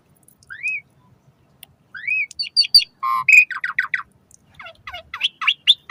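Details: Asian pied starling song used as a lure to get caged starlings singing, morning and evening: rising slurred whistles, then a burst of harsh chattering notes and squeaky repeated phrases.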